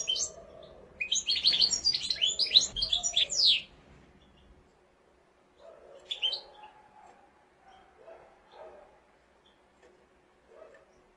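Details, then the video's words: Mosaic canary pouring out a fast, dense run of chirps and twitters for about three seconds, followed by quieter scattered notes and faint lower sounds. "قناری موزائیکی"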